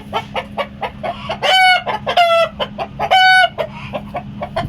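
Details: Bielefelder hens on a farm, one singing because she is about to lay or has just laid an egg while others raise the alert. Rapid repeated clucks are broken by long, drawn-out, nasal squawks.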